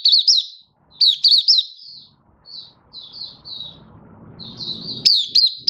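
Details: Malaysian white-eye in song in Singapore on a warm, sunny day in March 2023: bursts of high chattering notes with steep up-and-down slurs, a pause of softer thin whistles, then chattering again over faint low noise.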